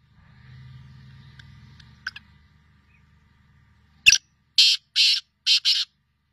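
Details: Black francolin of the Sindhi type giving its grating call. After faint low rumble and a few soft chirps, a click leads into loud buzzy rasping notes, two single and then a close pair.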